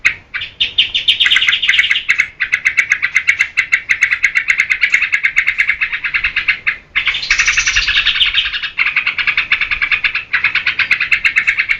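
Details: Lively yellow-vented bulbul, locally trucukan, singing as a lure and tutor for cage birds: fast repeated chattering phrases, bubbly and energetic, with short pauses near two, seven and nine seconds and a brighter burst near seven seconds.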